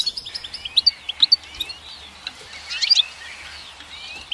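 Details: Goldfinch singing in quick liquid twitters, bright high chips and short trills that run fast at first, then turn softer and more scattered.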